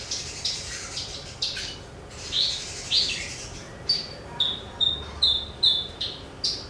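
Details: Javan bush lark song for training other songbirds: high chirps and buzzy twitters, then a rapid series of sharp whistled notes repeated about twice a second, with low background hum.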